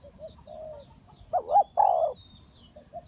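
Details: Spotted dove used as a decoy bird in a trap, giving a few low hollow coos, a short pair followed by two louder rolling, wavering coos, with faint high chirps from other birds in the background.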